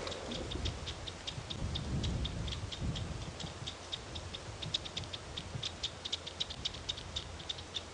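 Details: Batis, a small flycatcher, gives upset alarm calls in bush during a morning safari drive in July at Djuma Game Reserve: rapid, sharp clicking notes, about three or four a second at an uneven pace, over a low rumble of engine and wind.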